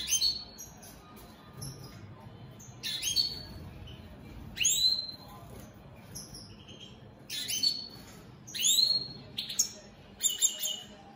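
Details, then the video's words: Caged European goldfinch, an opal split satiné colour mutation, singing: bright high twittering bursts with sweeping downslurred notes and buzzy trills, phrases separated by short pauses over a faint low background hum. "Opal split Satane goldfinches siging"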